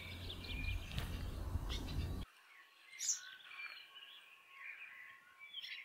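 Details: Welcome swallows (Warou), a spring brood of 5-6 birds nesting in a garage at Kapiti, New Zealand, give quick, high twittering chirps in an irregular run with one sharper, higher note, protesting a person approaching; a burst of loud rumbling noise comes first.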